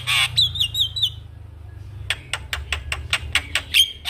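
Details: Javan myna singing vigorously with head-bobbing, a master recording for teaching young mynas: a harsh squawk and warbled whistle, a brief pause, then a rapid series of sharp clicking notes ending in a thin whistle over low hum.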